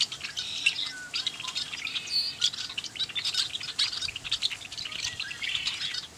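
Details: Red-winged blackbirds at Bitter Lake National Wildlife Refuge near Roswell, New Mexico; a dense chorus of overlapping high chirps, squeaky whistles and chattering notes from many birds, continuous throughout.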